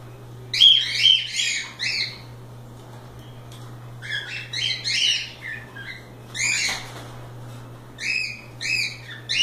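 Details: Free-roaming cockatiels at play give clusters of sharp harmonic squawks and chirps, several in quick succession, then pauses, against a steady low hum.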